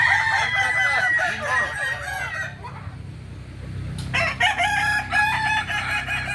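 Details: Kukuak balenggek roosters crowing during a May 2024 contest in Ampang Kualo, Kota Solok: strong layered crows with rippling, stepped notes for two and a half seconds, a lull with low rumble, then loud sustained crowing from four seconds on.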